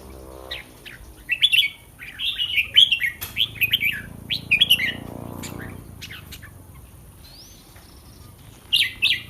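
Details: Caged red-whiskered bulbul singing on the day before a competition: bright, warbled phrases of quick slurred notes at mid-high pitch, bursting between about one and five seconds, then a final short phrase after a pause. Faint steady background hum.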